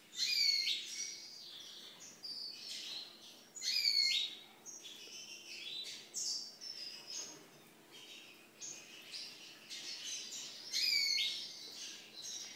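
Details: Young lesser goldfinches (Spinus psaltria) from 2013 sing a high, rambling twitter of bright chirps, buzzy notes and sweet slurred whistles, with the loudest bursts returning every few seconds, against a quiet background.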